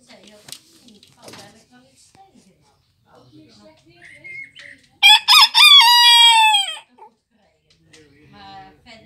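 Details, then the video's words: A Bearded d'Anvers (Barbu d'Anvers) rooster at a grandparents' home gives one high, rasping crow of about two seconds, with short opening notes and a long falling final note, amid faint background murmurs. "Bearded 'd anver rooster crowing"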